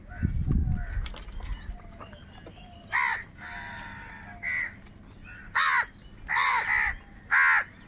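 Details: Crows in a big flock, said to be squabbling over food, utter loud raspy caws in short bursts of one or two, separated by quieter gaps, with a low thump and faint chatter of other crows.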